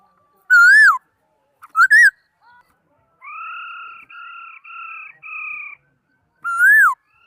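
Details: Laughingthrush song: loud, arching whistled notes that swoop up then down, with a row of four steady, flat whistles between them, all clean and unaccompanied.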